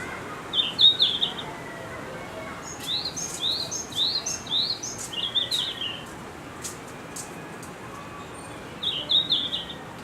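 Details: Red-flanked bluetail singing at Higashiyama Zoo, giving short high warbled phrases: one near the start, a string of five brief twittering bursts in the middle, and another at the end, with light background hiss.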